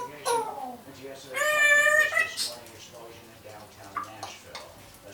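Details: Year-old female pet African grey parrot practising mimicked phrases inside the home; a short clipped word, then a drawn-out tonal, strongly harmonic syllable, trailing into soft, quiet mumbles.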